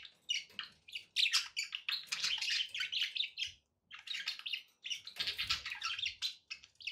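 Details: Budgerigars kept as pets give dense, raspy warbling with tweets and squeaks running almost continuously, broken by a short quiet gap near four seconds.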